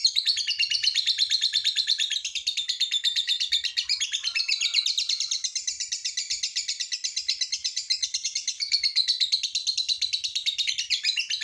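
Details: Lovebird delivering a long ngekek trill, used as a prompt to get other lovebirds singing: a continuous, rapid, buzzy chatter of high pulsed notes held for over eleven seconds with little pause.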